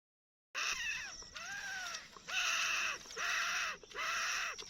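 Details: Black francolin (kala teetar) calling: after a brief silence, loud, harsh, nasal arched notes rich in harmonics come in a steady series about once a second, each note rising then falling.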